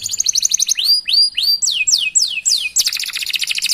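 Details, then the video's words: Full-voiced canary song for training other canaries: a quick trill, then a run of sweeping rising and falling whistles, ending in a rapid chattering roll. "Masteran Suara Burung Kenari Gacor Panjang Cuit - Cuit Ngerol || Cocok Untuk Memancing Kenari Lain"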